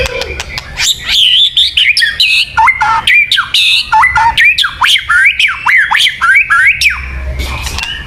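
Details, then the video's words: A white-rumped shama sings in this bird-luring recording: rapid, harsh-edged chattering phrases of sharply rising and falling notes, delivered in quick pulses with brief gaps between them. "Suara Burung Murai Batu yang paling baik untuk pikat"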